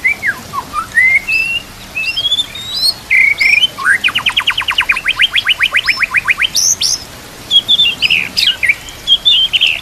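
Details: Training song of a white-rumped shama, with nature ambience and gurgling water: whistled rising notes, then a long rapid run of about twenty even repeated notes, ending in high sharp phrases.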